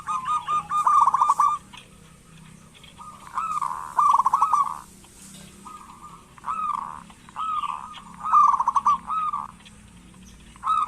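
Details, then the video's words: Local zebra dove, lively singer played to get reluctant doves calling: a series of bubbling, trilled cooing phrases repeated every one to two seconds, some smooth and drawn out, others broken into fast pulses. "Perkutut lokal gacor pancingan perkutut malas agar bunyi"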